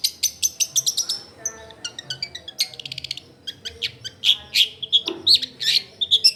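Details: Long-tailed shrike, recorded in a crowded residential area as lure audio for quiet shrikes: fast ticking runs of high chirps, then rattling notes and loud whistled chips, with light background hum.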